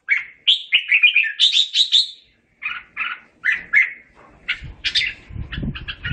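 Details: Red-whiskered bulbul singing to call its flock: bright, warbled phrases of quick liquid whistled notes in rhythmic bursts, a short pause near the middle, then more chirpy phrases, with soft low thumps toward the end.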